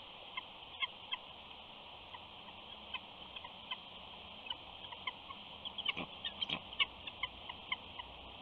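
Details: A mother eagle at the Big Bear nest whining softly to her mate after flying in, in a series of short, thin high notes repeated about every third of a second, with a few sharper clicks and a steady background hiss.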